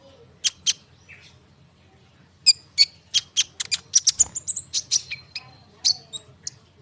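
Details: Konin bird song used to provoke sunbirds and other birds into answering; two sharp chirps, a pause, then a rapid burst of high clicking notes and short whistles.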